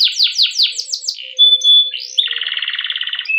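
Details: Canary training song used as a lure for other canaries: several quick falling whistles, a pure level whistle, an upward slur, then a fast rattling roll.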